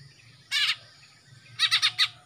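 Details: Kalimantan greater green leafbird, a young male freshly moulted from spotted juvenile plumage with black on the throat front, untrained but singing readily; one grating double burst, then four quick rhythmic harsh chattering notes in a row.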